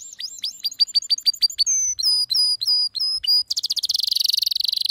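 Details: Excited male canary: rapid chirped notes in a run, slower ringing whistles with downward tails, then a dense buzzing roll.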